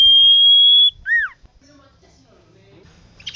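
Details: Common iora in lively song for training cage birds: one long, steady, pure whistle held for nearly a second, then a short arched note that falls away, followed by near silence.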